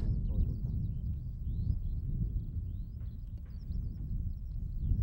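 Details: Skylark song from open fields at Sone Shinden, Kitakyushu, Japan, captured on a Sony BVP-70IS: sparser high chirps and slurred whistles, some rising, broken by short gaps, under steady deep wind noise.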